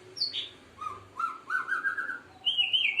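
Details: A seven-month-old White-rumped Shama (Murai Aceh) performing a bowing display ('main sujud') sings varied clear whistles, dropping then climbing through sliding phrases to a high wavering trill, with a man speaking afterward.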